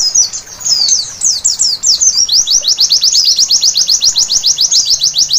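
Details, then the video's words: Nighttime white-eye song: varied high twitters with short gaps, then a long, quick, evenly spaced train of thin down-slurred chirps. "Terapi Pleci Malam Hari Bikin Gacor seketika!!!"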